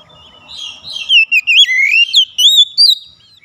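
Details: Lure recording of oriental magpie-robin song meant to get hard-to-sing untrained birds singing, with a fast run of clear, looping whistled notes sweeping up and down, opened by a faint low buzzy murmur.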